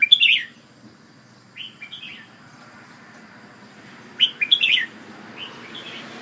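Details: Red-whiskered bulbul singing in Ubon decoy style: bright whistled, warbling phrases of a few quick notes near the start and again after four seconds, with a softer phrase between, over a faint steady hiss.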